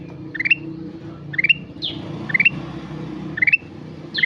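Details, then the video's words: Kutilang emas in full song, repeating short climbing series of bright notes about once a second, with one higher downslurred call among them and a low background hum. "Burung kutilang emas gacor"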